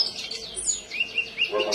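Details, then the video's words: Common iora singing actively, its song full of golden grasshopper phrases: a high thin downslurred whistle, then short rising chirps repeated several times in quick succession, with a brief burst of chatter at the end. "SUARA BURUNG KONIN GACOR FULL TEMBAKAN BELALANG EMAS"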